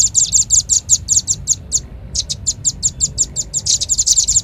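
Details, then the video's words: Velvet-fronted nuthatch lure call. A steady stream of piercing, short chips comes at several per second, pauses briefly, then picks up again and quickens near the end. "Suara pikat burung rambatan paling ampuh | rambatan paruh merah"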